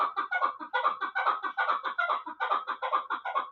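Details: Rhythmic chukar partridge calling from a young Bartang bird of the Pamirs, a last-year chick kept for hunting: evenly spaced, throaty chuk-chuk notes, about two per second clusters, harsh and repeated without pause.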